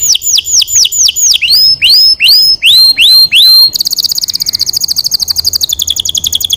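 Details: Canary singing for training: repeated loud descending whistled sweeps for nearly four seconds, then a fast, buzzy, even trill of very rapid notes.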